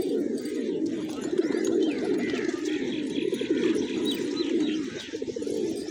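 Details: Hungry pigeons feeding on fresh grains on a village morning; a dense, continuous chorus of low overlapping coos and murmurs from many birds, with faint higher chirps above.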